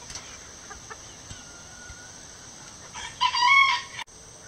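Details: Gold Sebright bantam rooster in a backyard flock, perched on a roof after joining a hen's egg song, crowing to the other chickens: a quiet stretch with faint distant calls, then one short, loud, harmonic burst near the end.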